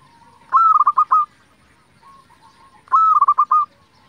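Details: Local Indonesian zebra dove singing as a lure meant to provoke other zebra doves into answering. Two phrases, each a long cooing note followed by a quick run of about five short staccato coos, roughly two seconds apart, over a quiet background.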